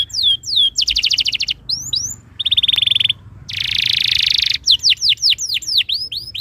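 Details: Canary tutor song meant to make other canaries join in: swooping downslurred whistles, a crisp pulsed trill, a steady rolling phrase, a long dense buzz, then more repeated looping whistles.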